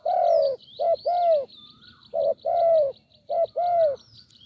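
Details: A spotted dove, a wild bird with a deep voice, calls at a branch decoy setup in Thailand: mellow low coos grouped as a brief note followed by a longer falling one, three times, with soft high ticks behind.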